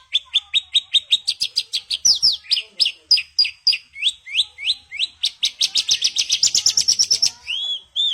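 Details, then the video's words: Rolling 'roll tembak' song of a Javan bush lark, rapid high chips repeated in long runs that speed up into a dense trill near the end, closing with one separate rising whistle. "Branjangan Mewah Roll Tembak"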